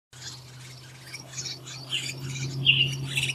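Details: Willie wagtail chicks about 12 days old at the nest, begging actively for food during frequent feeding; rough, scratchy high squawks in uneven bursts, growing louder toward the end, over a steady low hum.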